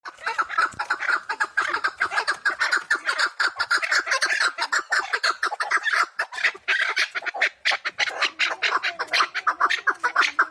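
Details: Wild chukar partridges from the Pamir, several birds calling together in a dense, overlapping chorus of hoarse chuk notes that run on without a break for the whole stretch.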